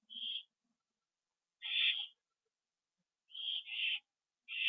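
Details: Owls back at their nest on a live camera, evening of September 27, 2011; harsh hissing screeches about half a second long, four bursts spaced unevenly with silent gaps.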